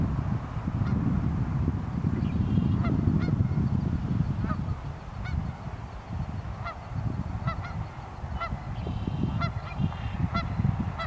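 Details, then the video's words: Geese calling on a very cold North Idaho morning on the Pend O'Reille River: scattered nasal honks from a flock, some doubled, over a steady low rumble of river and wind, louder in the first half. "The Song of the Geese II"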